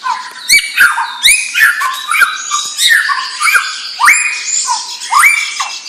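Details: White-rumped shama, a young bird from a champion bloodline, singing a dense run of loud whistled phrases, rising slurs and sharp clicks packed closely together, with high ringing notes over rich lower whistles.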